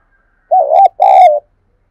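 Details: Spotted dove calling to lure wild doves: two loud low coos, a wavering first note followed after a short gap by a longer, slightly falling croon.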